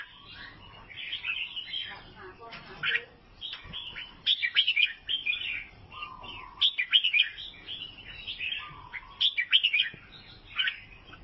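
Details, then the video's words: Singing albino sooty-headed bulbul, Vietnam, giving busy chattering bursts of sharp chirps, each a couple of seconds long, interleaved with lower fluted whistles and brief lulls. "KICAUAN BURUNG KUTILANG ALBINO"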